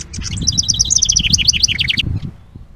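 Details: House wren at a bluebird nest box holding its stick nest, recorded by trail camera on 10 May 2023: a rapid, bubbly burst of jumbled high warbled notes lasting about two seconds, then silence, over a low rumbling background.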